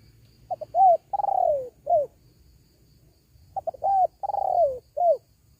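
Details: Spotted dove lure call for wild doves: two clean phrases of clipped introductory notes, a long rolling coo sliding downward, and a final short falling coo, with a quiet pause between phrases.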